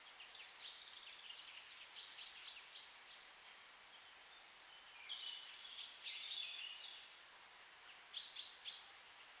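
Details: Birds singing in a beech forest with blooming rhododendron bushes: high, thin whistles and quick bursts of sharp trilled notes recurring every few seconds over a soft steady hiss.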